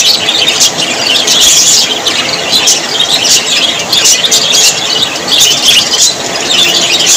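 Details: Budgerigar flock in cheerful mood: busy high chirping and scratchy warbling run throughout, swelling in short bursts with quick ticking calls on top.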